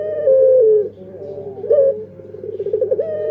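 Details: Brief puter pelung dove phrase: one long falling coo, a short upward note, then a fast pulsing trill, over a faint low hum.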